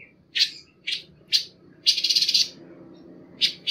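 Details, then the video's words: A panca warna bird gives high, bright chirps spaced about half a second apart, then a quick sputtering trill and two more sharp notes, with nothing else heard. "suara burung panca warna"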